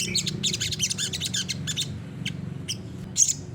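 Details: Olive-backed sunbird in 'gacor nembak' song, used as a master recording to make other birds answer: a fast rattling run of high chirps, then scattered single notes and a final shrill burst.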